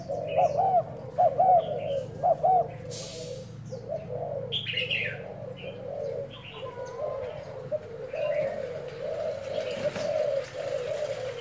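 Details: Decoy spotted dove tested on 01/11, giving a few clear rounded coos at the start that blur into a continuous low cooing murmur, mixed with scattered high chirps and twitters from other birds.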